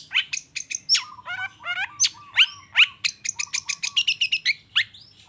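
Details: 'Toet toet' chattering song of a long-tailed shrike, used to make lazy shrikes answer: sharp chips and nasal buzzy notes, rising slurred whistles, over a low steady whistled tone, then a rapid chip series.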